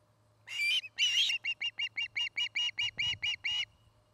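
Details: Osprey on a nest in Charlo, Montana, filmed by a nest camera: two long, rough, grating notes followed by about ten shorter whistled chirps at an even pace, with a low thump and steady hum.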